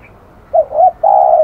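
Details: Low cooing from a spotted dove described as aggressive: two clipped coos and then a long, level drawn-out coo, the phrase clear against a quiet background.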